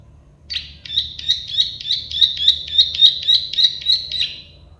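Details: Plain prinia, known as prenjak sawah or klik-klik, delivering one steady phrase of about twelve evenly spaced, buzzy clicks, each sharp and metallic, over roughly three and a half seconds.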